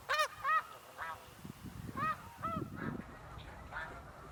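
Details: Snow geese departing the water at sunrise to feed in fields during Canadian spring migration, 26 April 2015; a rapid series of clear, nasal, barking honks, several in the first second, then fading to more distant calls.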